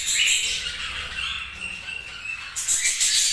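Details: Several budgies produce dense, shrill chirping and warbling, a continuous layer of overlapping high squeaky notes with a brighter burst near the end.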